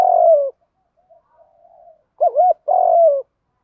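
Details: Loud spotted dove fighting coo of the field-voice type, used to lure wild doves: a long falling coo, a quiet murmured stretch, then a quick wavering double note and another long, gently falling coo.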